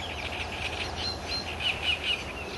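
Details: Eurasian blue tit recorded at Toffo, Villa d'Adda on 14 May 2008: a quick series of short, high, arched chirping notes, some with sharper accents, repeated several times over steady low background rumble.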